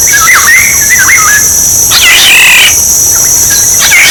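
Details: Used to lure birds, a Black-naped oriole gives a few quick fluty whistles dipping and rising, followed by a rasping nasal note and a softer whistle, with steady shrill background drone.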